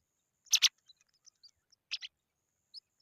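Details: Young pipit being fed a worm gives two sharp raspy notes, then faint high squeaks, and another harsher pair about one and a half seconds later.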